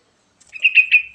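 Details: Sooty-headed bulbul singing to draw other birds into song: a single compact phrase of three or four loud, slurred, ringing notes, trailing off smoothly.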